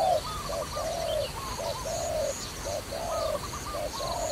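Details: Low, rounded dove coos, short then long, recur about every second in a trapping-related recording, while a higher rapid trilling chirp from a second bird runs above them.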